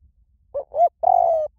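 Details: Spotted dove cooing, small-voice type, used as a lure so doves answer: a clipped first hoot, a swelling upward note, then an extended mellow coo that tapers slightly at the finish; no other sounds.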